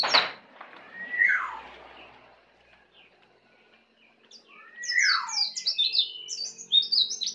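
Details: A young Bali white-eye still learning to sing, in ngeplong style: a sharp click, then a falling slurred whistle, a quiet pause, another descending whistle and a burst of rapid high twittering notes.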